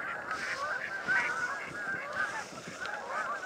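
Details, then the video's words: Thousands of Canada geese in a field along the Salmon River near Truro, March 22, cold weather, some flying: a continuous wash of overlapping harsh, nasal honks with no pause between calls. "Thousands of Canadian Geese"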